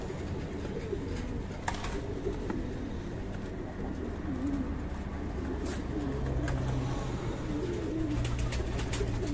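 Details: At a breeding farm, fancy pigeons murmur low, rolling coos that grow clearer in the second half, over a constant low hum and scattered taps and rustles.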